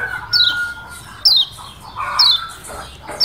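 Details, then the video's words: Lombok yellow white-eye, a song variation from Lombok said to provoke rivals: thin, high whistles slurring steeply downward, given roughly once a second, with a faint lower steady tone beneath. "Full Joss Kecial Kuning VARIASI Ampuh Bikin Lawan EMOSI NYUT2AN JOSSS‼️"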